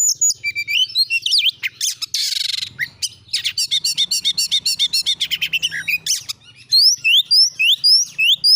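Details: Oriental magpie-robin in 'gacor nembak' song used to provoke other magpie-robins into singing: a loud, almost nonstop stream of rapid clipped notes and a rasping buzz, ending in repeated rising whistles.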